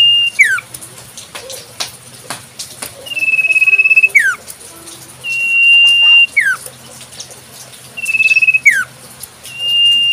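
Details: Common Iora singing in the wild: a long, steady high whistle that ends in a quick downward slur, repeated about every two seconds, with faint background clicks and rustling.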